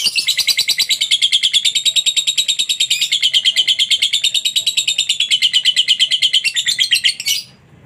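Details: Lovebird in a long ngekek chatter meant to make other lovebirds respond: a dense, continuous stream of shrill rapid notes holding steady for about seven seconds before stopping abruptly.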